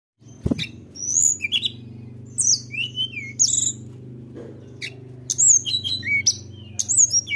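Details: Sunda robin in full song, meant to provoke rivals: high, clear whistled notes and sharp chirps in short bursts, some sliding downward, over a steady low hum.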